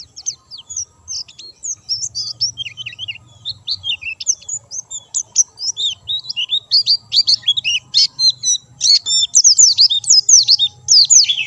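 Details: Lively white-eye song from a bird kept in top form without supplements: a continuous tumble of sharp, high, twittering notes and quick down-slurred whistles, growing denser and louder toward the end, with faint low hum underneath.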